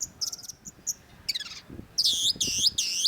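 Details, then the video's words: Long-tailed shrike (cendet) sings faint high notes and a descending buzzy phrase, then three loud, harsh, grating bursts in quick succession. "cendet gacor MASTERAN CENDET SUARA MENGGEMA JELAS || Long-tailed Shrike"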